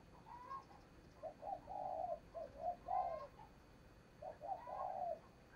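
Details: Spotted dove serving as a decoy for trapping wild doves, repeated groups of low mellow coos, the longest note slightly drawn out, heard over a steady hiss of background noise.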